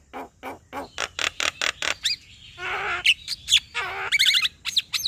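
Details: Male Javan myna singing to make a reluctant myna call: a steady row of short clicking notes, then a grating rasp, scattered whistles and a rapid stuttering burst of squeaky chirps.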